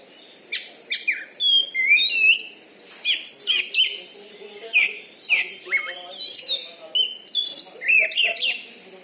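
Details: Caged Oriental magpie-robin from Bengkulu, Indonesia, praised for loud volume and fighting style: rhythmic bursts of sharp chirps and sliding whistles roughly every second, with faint background murmur.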